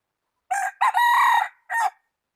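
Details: Rooster crowing loudly in a clean recording: a short opening note, then a long sustained harmonic crow held for about half a second, followed by a brief final burst after a pause.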